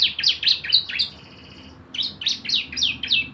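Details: Javan white-eye singing a rapid 'nembak' lure song meant to set other birds singing: quick high downward-sweeping chirps, a short thin held whistle, a pause, then more steeply falling notes.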